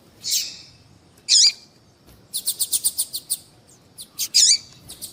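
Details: Female double-collared seedeater calling to stimulate a male to sing: high, thin piping notes, a fast rattling series of about ten clicks, then more sharp high chirps.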